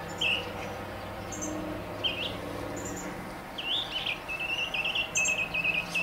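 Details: Central Arizona mockingbird atop a mesquite tree, contending with machinery and a cardinal below. Sparse looping whistles at first, then a fast, sustained buzzy trill of repeated notes. Low engine-like hum in the first half.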